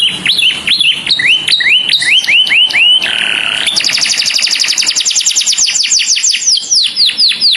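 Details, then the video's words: Canary calling its companion: a string of clear, downslurred whistled notes repeated about twice a second, a brief buzzy note, then a fast run of high, thin downswept notes. "O SOM DE UM CANÁRIO CHAMANDO SEU AMIGO, VOZ CLARA"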